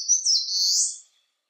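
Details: A single loud phrase from an Eastern crowned warbler, sunny weather at 19°C: a high, thin, buzzy slur lasting about one second that wavers and then fades away.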